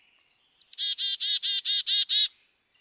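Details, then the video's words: Black-capped chickadee from Wisconsin calling once: two quick high slurred notes, then seven harsh buzzy notes repeated evenly over under two seconds, with nothing else audible. "Wisconsin Bird Sounds - Black-capped Chickadee"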